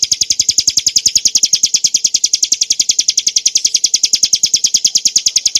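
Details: Bar-winged prinia of the montana subspecies delivering clear song for masteran training: a rapid, steady trill of thin high chips, roughly seven each second, uninterrupted throughout.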